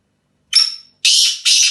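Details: Desi black francolin in England: a short thin whistled note sliding high, then two loud harsh grating notes in quick succession, the phrase cut short.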